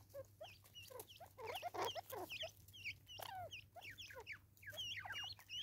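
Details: South African Natal spurfowl in a raucous chattering bout, fast squeaky downslurred notes running almost continuously for several seconds, over a faint low hum.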